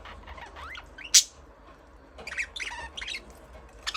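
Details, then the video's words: Budgerigar chirping: a few short scattered chirps and rising warbled notes with one sharp loud click-like burst, quiet gaps between. "Budgies parrot chirping sound"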